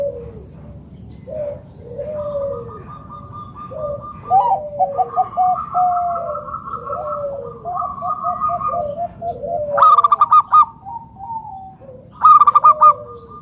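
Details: Local wild-type zebra dove calling loudly to lure other zebra doves into calling: soft, wavering cooing notes overlap at low pitch, then loud rapid pulsed rolling coos burst out near the end, twice, with a faint background hum.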